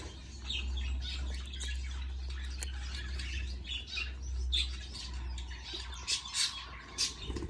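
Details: Baby budgerigars being fed by a parent, scratchy squawks and chirps growing busier toward the end, several sharp bursts in the last seconds, over a strong low hum.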